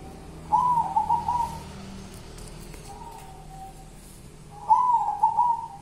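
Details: Local wild zebra dove in a song style called kuntilanak: a soft mid-pitched coo that breaks into a quick rolling trill, a short quieter coo, then the trilled phrase again after a pause.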